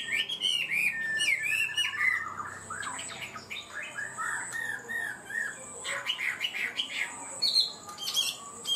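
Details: Chinese hwamei songbird giving 'cao cầu' style song: whistled slurs and quick trills in uneven bursts mixed with scratchy clicks, somewhat quieter, with a steady high whine in the background.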